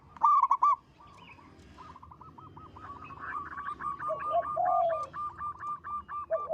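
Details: Local zebra dove singing in full voice, a big, long, melodious song: two loud rolling bursts open, then a fast staccato string of short clipped notes, with lower, longer purring coos woven in toward the end.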